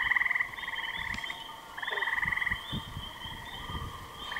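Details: Common loons at Kennebec calling in wavering, tremulous phrases, each held about a second with fast vibrato-like pulses. Three phrases come in sequence, with faint low knocks in the background.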